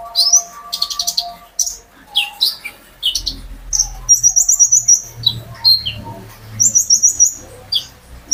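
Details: Captive olive-backed sunbird singing as a lure to get other birds singing: sharp high chirps and quick trills, with a fast rattling burst midway, over a faint low steady tone and soft background hum.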